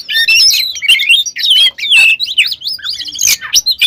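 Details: Lure song of an oriental magpie-robin, full of mimicked fills and meant to make other magpie-robins quickly agitated. A continuous, hurried jumble of whistles, chatters and scratchy notes runs without a break.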